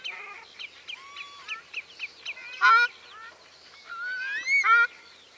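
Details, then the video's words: Ruddy shelduck giving nasal, goose-like honks: a run of short soft notes, then two loud drawn-out honks about two seconds apart. "Tarro canelo (Tadorna ferruginea) Canto"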